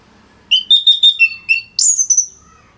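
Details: Orange-headed thrush, kept in Singaraja, northern Bali, sings a sequence of clear whistled notes at middle pitch, ending in a loud high descending squeal; recorded for training other songbirds.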